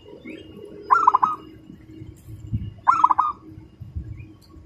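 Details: Local zebra dove (perkutut lokal), a contest prospect bird with fast, tight gacoran song likened to a sewing machine: two rapid pulsed cooing phrases about two seconds apart, each a quick run of hollow notes, over low background rumble.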